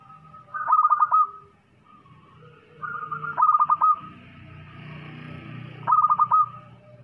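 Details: Loud-voiced local zebra dove singing three phrases of fast staccato coos ending in a held note, about two and a half seconds apart, with low rumbling background noise.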